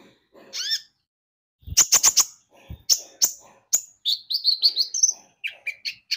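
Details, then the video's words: Javan white-eye lure song used to prompt other birds to sing: bursts of very high, thin twittering chirps and short sweeping notes with sharp clicks, ending in rapid high trills. "Pancingan Kicau burung konin gacor"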